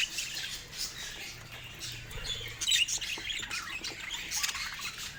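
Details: Pet budgerigars showing happiness: soft, continuous high chirping and scratchy warbled chatter from several birds, with brief louder squeaky notes near the middle and no other clear sounds.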